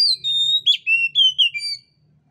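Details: Oriental magpie-robin (kacer) lure song for training birds whose voice is not yet open: clean sustained whistles at steady pitch, then several falling slurred notes, ending in silence.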